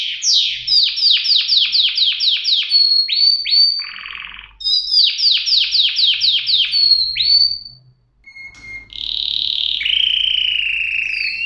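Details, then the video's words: Canary in full song with quick trains of falling whistled notes, roughly four per second, broken by a brief buzzy rattle and a short pause, ending in a sustained wavering trill. "صدای قناری"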